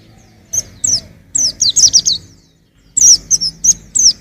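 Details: High, quick downslurred chirps of a young white-eye in two bursts, with a low background hum beneath the notes.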